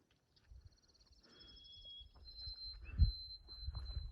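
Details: A White-throated Sparrow on an overcast, cool morning near Grafton Notch, Maine, on the Appalachian Trail toward East Baldpate, gives thin, high, pure whistled notes, each held steady, under louder heavy footsteps and rustling.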